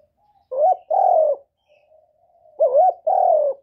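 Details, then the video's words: Spotted dove cooing, used to stimulate newly kept birds: two phrases about two seconds apart, each a short warbled note followed by a longer, slightly falling low coo, with soft low notes between; no other sounds. "Tiếng cu Gáy Kích chim mới nuôi hiệu quả, cu gáy gù cực chất"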